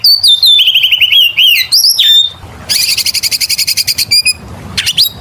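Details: Oriental magpie-robin in lively full song, used as a lure for other birds: clear whistled phrases and slurred notes, then a fast run of rapid repeated chattering notes and a final rising whistle.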